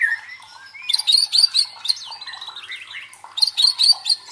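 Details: Song of a white-rumped shama, played to provoke competition birds and train their fighting spirit: a thin rising whistle opening, then bursts of high chattering and buzzy notes interleaved with falling whistled slurs.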